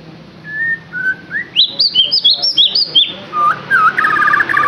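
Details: White-rumped shama song for prompting a caged bird to sing: a few soft level whistles build into rapid high, looping whistled notes, ending in a warbling trill.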